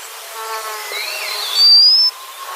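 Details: A single high, thin whistle from a white-capped redstart that climbs steadily for about half a second. It comes over a faint buzzing hum and soft lower whistled notes.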